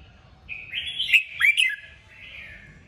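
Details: Kích bổi song from a red-whiskered bulbul, used to push other birds to sing: a single rich, rolling warbled phrase with two loud sharp peaks, fading into a softer whistle.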